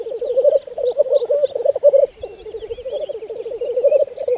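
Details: Black grouse lekking in spring 2014 on Saaremaa, Estonia: continuous warbling, dove-like bubbling with a slight wavering rise and fall, plus faint high chirps.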